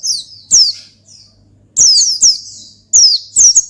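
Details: Oriental white-eye singing loudly to call and provoke a rival, used as a trigger for other birds: high, sharp, descending chirps in quick bursts with pauses between, over a low steady hum.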